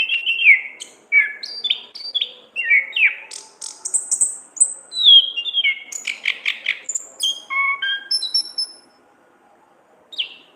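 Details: Orange-headed thrush singing in the loud, chattering ngeplong gacor ngriwik style, used as a lure and training recording for songbirds. Quick sweet whistled and trilled phrases leap and slide in pitch for about nine seconds, then one short closing note.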